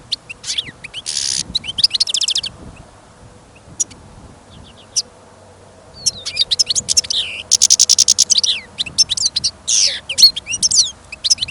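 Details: European goldfinch kept caged on trial for listening sings despite snow and gusting wind: an opening twittery phrase with a buzzy note, a quiet gap with a few single chips, then a long rapid stream of trills and rasps.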